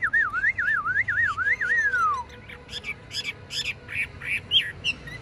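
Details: Caged tame Chinese hwamei giving a long wavering whistled phrase that slides downward, followed by a series of harsher, scratchy rising notes.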